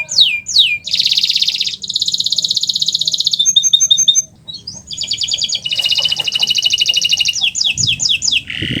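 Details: Canary song from a master recording meant to prompt silent canaries to sing: fast varied phrases of high rolling trills, buzzy sustained tours and quick downslurred whistles, with rapid chip series, loud and continuous with brief pauses.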